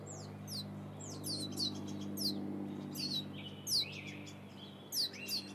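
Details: Two wild turkey chicks with their mother in the Sierra foothills, California, eating seeds fallen from a feeder, give thin, high, sharply falling overlapping peeps, two or three a second, over a low hum from a chainsaw they are wary of.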